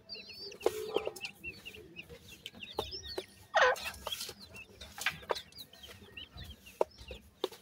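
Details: Francolin (teetar) chicks feeding: thin high peeps, some slurred up or down, scattered among sharp clicks and taps, with one loud harsh rustling burst midway.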